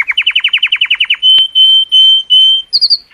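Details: Colour canary song for stimulating females: about a dozen quick upslurred notes, then four long steady whistles and a brief high triple flourish.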